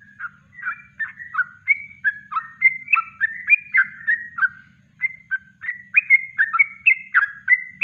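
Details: Yellow-vented bulbul singing naturally in kongslet style, a master recording for bird training: a rapid string of liquid, warbled two-part notes, some rising and some dipping, with a short break near the middle.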